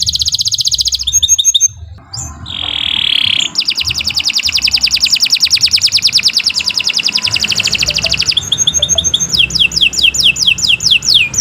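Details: Canary in long continuous song meant to prompt birds to sing: a fast trill, a sustained whistled note, an extended rapid rattling trill lasting several seconds, then quick sweeping whistles, with a constant low hum beneath.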